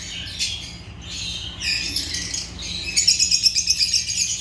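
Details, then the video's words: Agapornis lovebirds, African lovebirds, chirping in a group: dense bursts of high, harsh chirps and squeaky twitters, louder and faster toward the end. "Agapornis lovebirds chirping sounds"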